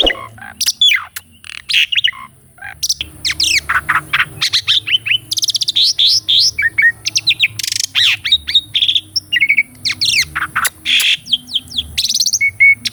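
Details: Asian pied starling kept in a cage, its master song full of rolling and pumping variations: a dense, unbroken stream of fast chattering notes, slurred whistles and harsh bursts lasting over ten seconds, over a faint low hum.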